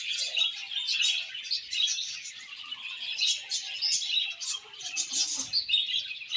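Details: Budgerigars warble and chirp without pause, a steady layered stream of high scratchy notes with little background beyond a faint low thud near the end.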